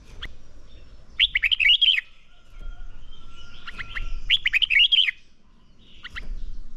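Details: Red-whiskered bulbul song used in training to provoke singing: two bursts of rapid warbled, looping notes, each under a second, around 1.2 and 4.4 seconds, with softer chirps between and low background rumble.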